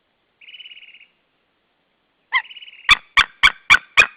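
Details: White-tailed eagle pair at their nest in Saunja, Estonia, 16 March 2013 around midday, one bird screaming as its mate lands on a branch; a faint thin trill, then a burst of loud, harsh yelping notes repeated about four times a second.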